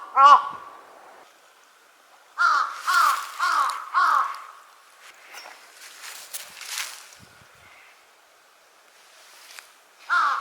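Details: Large-billed crows recorded at Konuma lake on 20 April 2022: a run of four harsh, hoarse caws, a single caw at the start and another at the end, with rustling and faint noise between.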